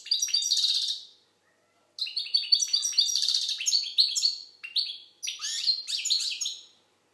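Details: Algerian goldfinch pouring out energetic song: dense, high twittering phrases mixing liquid notes, buzzy rattles and quick chirps in long runs with a brief silence between them.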